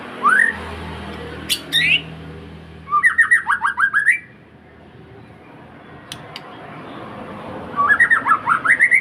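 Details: Singing white-rumped shama, kept as a lure for other birds, delivers rapid runs of rising and falling whistles in separate bursts, with sharp high clicks between phrases and a low hum in the background.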